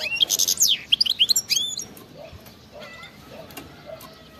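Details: European goldfinch in wild (khalwi) song style with batbata; a lively burst of tinkling twitters and slurred whistles for under two seconds, then faint scattered notes in a quieter background.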